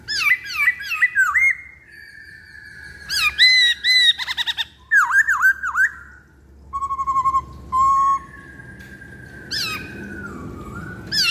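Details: Lure song of a black-throated laughingthrush: loud ringing whistles with sweeping up-and-down notes in quick bursts, a low pulsed stretch, and long level whistles that slide downward near the end.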